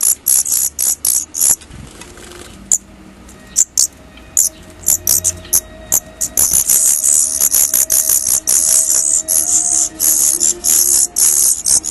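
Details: Daurian redstart fledglings first leaving the nest: scattered high squeaks early, then a busy, near-continuous chatter of shrill, very high notes building over the last half of twelve seconds, with light clicks and faint hum.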